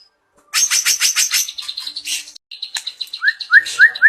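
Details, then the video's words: White-rumped shama showing off fill notes: a burst of fast, harsh, very high stutters, a pause, thin buzzy ticking notes, then four quick upslurred whistles at the end. "perdana murai bongkar isian mewah"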